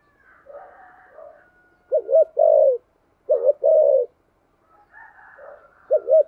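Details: Spotted dove in the deep 'thunder voice' style, with rapid insistent cooing: two low phrases, each a quick double note then a longer rolling coo. Faint softer cooing from another dove sits beneath.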